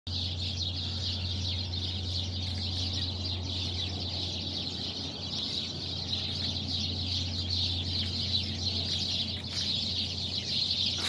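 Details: Many birds perched together in a tree, calling in the early morning while still dark: a dense, continuous high twittering chorus with no pauses, over a steady low electrical hum.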